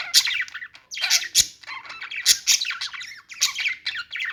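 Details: Singing budgies give bursts of harsh, buzzy chatter broken by sharp clicking squeaks, with short pauses about every second.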